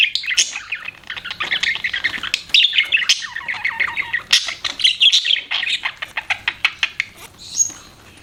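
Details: Pet budgies chirping: fast warbled chatter flowing into a run of short, clipped chirps repeated several times a second, ending with a high whistled note.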